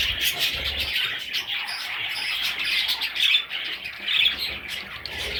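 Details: Baby parrot chicks calling together indoors, a dense continuous chatter of high squawky chirps overlapping with no clear rhythm, with occasional low thumps beneath.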